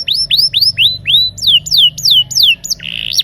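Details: Rolling canary song meant to coax quiet canaries into singing: rapid curved whistles repeated steadily, shifting to descending swept notes, ending in a short harsh buzzy burst.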